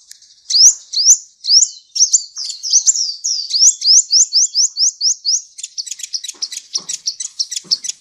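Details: Full-fill song of a Kolibri Ninja sunbird used for teaching shamas and magpie-robins: high rising whistled slurs speeding into an even run, then a fast stutter of short sharp chips.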